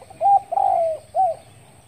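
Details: Spotted dove calling in the morning, recorded 10 February 2021: three soft, hollow cooing notes, a short one, a longer slightly falling middle note, then a short final coo, over a quiet background.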